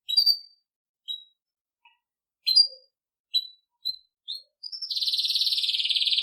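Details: Belgian canary singing campainha (bell) style for training young birds: spaced sharp high chirps about once a second, then a long fast buzzy trill to the end.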